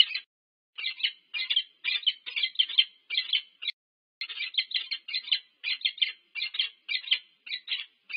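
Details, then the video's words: Peregrine falcon pair meeting at their nest at UC Berkeley, USA, filmed by nest camera on 25 August 2023; rapid, harsh chattering notes in bursts, almost continuous with one short pause. "Sokół wędrowny UC Berkeley USA - Annie & Lou, spotkanie 2023 08 25"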